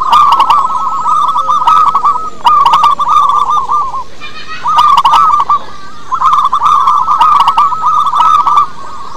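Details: Local wild-type zebra dove song, used as a lure to get other doves singing: rolling, bubbling coos near one pitch, delivered in four long runs with short gaps, with sharp broadband clicks over the phrases.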